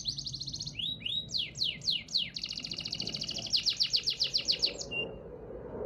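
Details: Canary delivering a 'dor'-style tutor song meant to make other canaries sing: a level trill, rising and falling whistled slurs, then a long rapid rolling trill ending in a short clear note; faint low background rumble.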